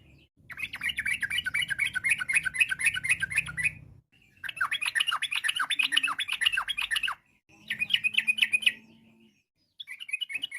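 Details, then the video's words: Vigorous yellow-vented bulbul song in the ropel style, used to provoke other trucuk to answer: long bursts of fast, jumbled, bubbly notes broken by short pauses, ending in a few clipped phrases. "trucuk gacor, bikin trucuk lain nyaut seketika.!"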